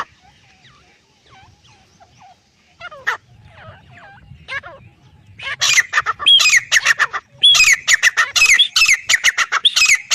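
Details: Male and female black francolin calling clearly: faint scattered notes early, then from about five and a half seconds loud, harsh, rapidly repeated squawks with sweeping upper notes, over a soft low background hum.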